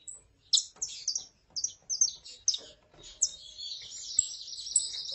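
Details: Saffron finch, female calling and male singing: several sharp chirps open the passage, then a high continuous rattling trill takes over for the final two seconds.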